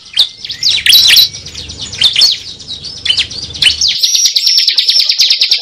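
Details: Cible lure call: jumbled high chirps and slurred whistles over a low hum, then a fast, even rattling trill of high notes.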